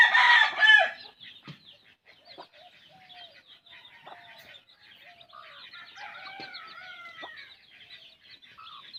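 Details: Hen feeding her chicks: a loud harsh squawk opens, then soft low clucks and short rising whistles mix with dense high chick peeping throughout.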